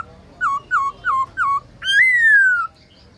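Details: Black-throated laughingthrush, a kept songbird in training, singing at midday in the forest-voice style: four quick downslurred whistles about every third of a second, then one long, bright whistle rising sharply and sliding slowly down.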